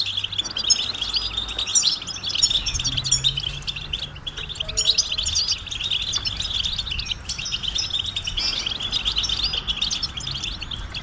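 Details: European goldfinches in a group chorus of mating and readiness calls that stimulate males to sing: an unbroken wash of high, tinkling chips and trills, steady in loudness, over a low background hum.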